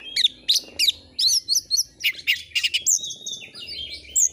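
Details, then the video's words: Oriental magpie-robin (kacer) singing loudly for a tutor recording: quick series of piercing high chirps and short whistles, about three per second, ending in longer drawn-out whistled notes. "Masteran burung Kacer AUDIO JERNIH BUAT ANGKAT EMOSI AGAR CEPAT ON NGOBRA,Kacer gacor"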